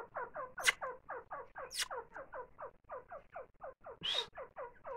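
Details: Grey francolin calling while feeding its chicks: a steady series of short, husky, downward-slurred notes, about four per second, with a few sharp clicking sounds breaking in.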